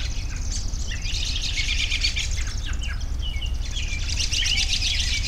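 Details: Mixed bird calls: scattered whistled notes and sliding chirps among softer background twittering, over a low rumble.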